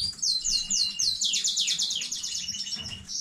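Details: Domestic canary from a new breeding line singing on 15 May 2019: rapid high-pitched trills of repeated downslurred notes, then a fast rolling tour sweeping down in pitch, with faint low thumps beneath.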